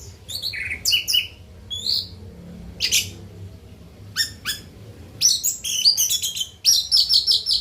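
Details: After its night bath, an orange-headed thrush delivers varied bursts of high, sharp chirps, squeaky whistles and clicky notes in short quick phrases separated by brief pauses.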